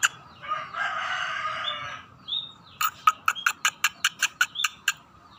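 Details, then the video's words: Scaly-breasted munia starting to sing actively: a soft buzzy, rasping passage lasting about a second and a half, a short pause, then a quick series of about a dozen sharp clicking notes with faint whistles mixed in. "burung emprit [peking] mulai gacor"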